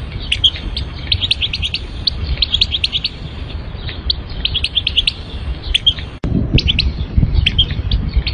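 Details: European goldfinch (Carduelis carduelis), song.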